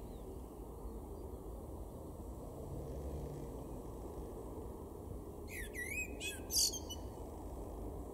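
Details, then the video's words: Male common blackbird singing one short, mellow, fluting phrase ending in a high twitter over a steady low rumble, in a garden in Weener, East Frisia, northwest Germany, April 2022. "blackbird (male)"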